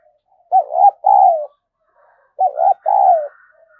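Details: Decoy spotted dove used to attract wild doves, giving two loud phrases, each a quick double coo followed by a longer, slightly falling rolled coo.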